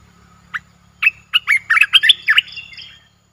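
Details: Streak-eared bulbul singing in a cage, a new bird in a Thai collection, recorded 29 June 2021: one isolated note, then a rapid cascade of about ten bubbly, gurgled notes fading into softer chatter, over a low background hum.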